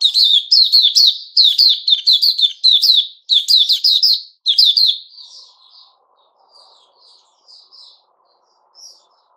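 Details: Male sooty-headed bulbul (Puteh Raja), recorded 10 July 2021. It sings a long run of rapid, slurred whistled phrases for about five seconds, then gives softer, scattered chirps as it tails off.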